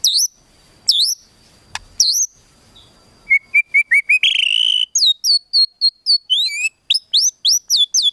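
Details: White-rumped shama giving a rapid crackling song meant to provoke emotion in other birds: loud, high whistled notes sharply rising and falling, first spaced, then hurried into quick bursts of short slurred chips and a buzzy rising run.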